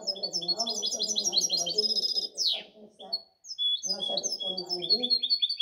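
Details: Cross-bred European goldfinch, 2019–2020, delivering fast chattering twitters and tinkling trills broken by a steep falling buzz midway, then resuming with clear whistled notes; Spanish speech runs beneath much of the song.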